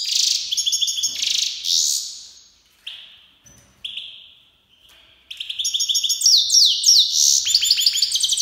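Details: Iranian goldfinch, a Himalayan black-headed cross from Fars province, Iran, singing: bright high twittering phrases and rapid buzzy trills broken by short pauses and thin sliding notes, ending in a dense run of sharp chirps.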